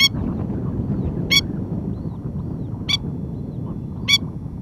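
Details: Spur-winged Plover (Masked Lapwing) mother on patrol near her ground nest, calling to stop a newly hatched chick straying: four loud, strident single notes, each roughly 1.3 to 1.6 seconds apart, with steady low-pitched background noise.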